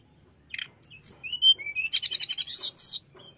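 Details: Flycatcher singing to agitate rival birds: thin rising whistles and clear slurred notes lead into a steady run of about nine rapid, evenly spaced pulsed notes and a final high trill.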